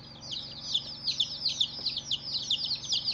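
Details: First-day baby chicken chicks close by, loud high-pitched peeping in rapid bursts of several downslurred cheeps, about two or three pulses per second, over a faint low hum.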